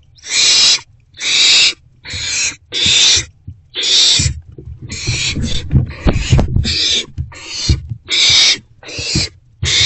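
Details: Owl at a nest box on the evening of 29 March 2024, 7:41–7:44 pm, during two rodent deliveries; loud breathy hissing bursts repeat about once a second, mixed with low thumping and scraping from movement inside the box.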